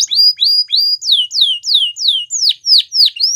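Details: Singing canary gives clear slurred whistles, first a short rising series, then a steady run of strong downslurred notes at about three per second, each sweeping from high to lower pitch.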